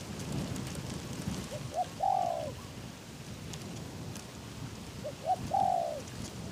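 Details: Decoy spotted dove in an uncovered trap cage, strong wind, luring wild doves: two phrases of a soft short note, a short coo and a long coo, over a rushing, noisy background.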